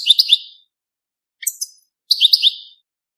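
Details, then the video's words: European goldfinch in mating song, heard as three brief high twittering bursts, each made of a few quick tinkling notes, separated by silence. "5 دقائق من تغريد الحسون بدون توقف .تزاوج الحسون"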